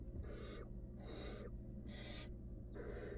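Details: Wild barn owl chick in a monitored nest box, around a meal of a rodent; four harsh, breathy rasping hisses, each about half a second long, come roughly once a second over a low steady hum.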